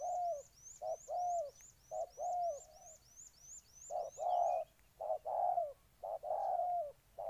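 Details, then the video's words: Spotted dove, Ninh Thuận, Vietnam: mellow, low coo phrases of a clipped note then a longer, slightly falling coo, repeated steadily, with another bird's high, quick, regular chirps for the first half. "Cu gáy Ninh Thuận"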